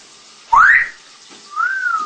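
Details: Tame rescued adult female African Congo grey parrot whistles twice: a quick bright upward sweep, then after a pause a longer, smooth arching tone that rises gently and fades downward.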